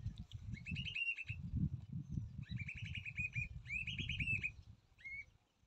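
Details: Baby bird calling while its mother feeds it: three quick trains of rapid, high, rising-and-falling chirps, then one short final chirp, against continuous low rumbling noise.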